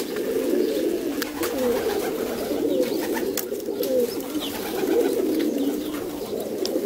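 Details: Rock pigeon parent feeding two recently adopted young squabs in a loft; a dense, low, rasping hum of begging and feeding noise persists for several seconds, punctuated by brief sharp clicks.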